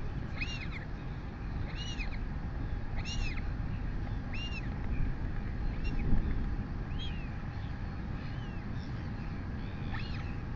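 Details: On a New Zealand nest at 11:24 am on 23 August 2020, a royal albatross chick begs as its mother feeds it. Arched, rising-then-falling whistled calls repeat about every one and a quarter seconds over persistent wind noise.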